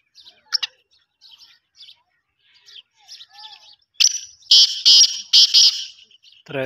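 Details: Black francolin, known locally as desi or kala teetar, calling: faint scattered chirps at first, then a sudden loud burst of harsh, rasping, buzzy notes repeated in a rapid stuttering phrase, followed by a short low sound at the end.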